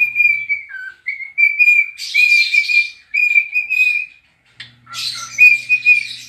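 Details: Pet cockatiel singing while dancing and rubbing its tail: long steady whistled notes, each held a second or more, broken by short lower dips and bursts of harsh, buzzy chatter, with a faint low hum at times.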